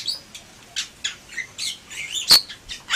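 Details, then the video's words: Softer Bali myna gacor song: thin scratchy notes and a whistled rising slur, punctuated by one sharp, loud crack-like squawk. "Suara Burung Jalak Bali Gacor"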